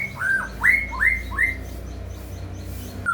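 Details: Caged-bird lure recording of white-rumped shama: four loud upslurred whistles repeated about every half second, then quiet, with a low rumbling background.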